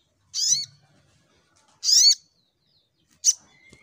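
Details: Brown-throated sunbird delivering a fighting-mode shooting song: two loud, harsh squeaky notes with a rising undertone about one and a half seconds apart, then a short sharp chip.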